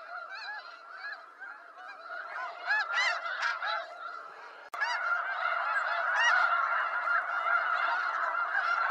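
A large flock of snow geese calling together, a dense, overlapping chorus of nasal, barking honks, many voices at once, continuous throughout.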